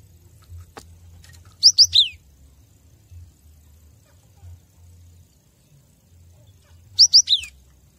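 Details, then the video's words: Cinereous tit master recording for training captive birds. Two phrases about five seconds apart, each of two quick upslurred whistles and a downward slurred note, with a sharp click early on and a low steady hum. "Masteran gelatik batu agar makin gacor"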